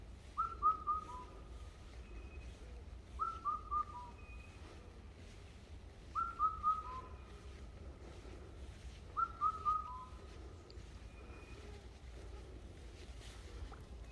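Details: In mountain woodland, a bird repeats a short whistled phrase of three or four sliding notes that end lower, roughly every three seconds, then falls silent; faint low hum continues throughout.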